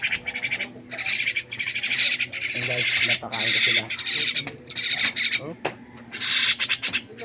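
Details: Myna kept as a pet, squawking while being fed: a run of grating, noisy bursts, some long and some clipped, coming every second or so, mixed with quieter rustling and faint sounds of handling.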